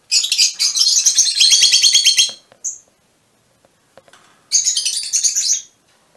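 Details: Mutation Fischer's lovebirds chattering: a long shrill buzzy burst of rapid high notes, a short chirp, a pause, then another harsh twittering burst.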